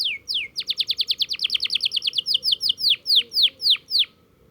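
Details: Canary practising its roll, opening with two sweeping notes, then a rapid run of downward-slurred whistles that gradually slows into louder, spaced, descending notes before stopping.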